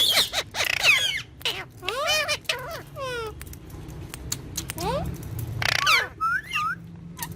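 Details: Green ringneck pet talking parrot gives clusters of short, rapidly rising and falling chirps and sliding notes, with quiet pauses between groups.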